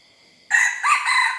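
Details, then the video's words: Young red junglefowl hybrid learning to crow: a loud, harsh, broken crow starting abruptly after half a second of quiet, with strained rising and falling notes and a rough, uneven tone. "#ไก่ป่าลูกผสม #เสียงไก่ป่า #หัดขัน"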